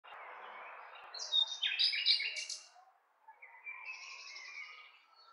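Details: Nightingale singing: a faint low murmur gives way to a loud burst of high, rapid, rattling notes and sharp whistles, then a brief pause and a softer, thinner run of notes.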